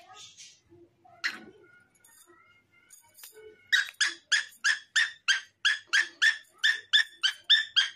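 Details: Cockatiel singing together with a green parrot indoors: a few scattered chirps and thin whistles, then a steady run of rapid, harsh, rasping notes repeated about three times per second until the end.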